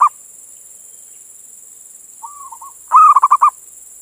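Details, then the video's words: Indonesian male zebra dove calling a female: a soft, low, wavering coo, then a loud burst of about six rapid rolling coos, against a steady high hiss. "Suara Perkutut Jantan Memanggil Betina"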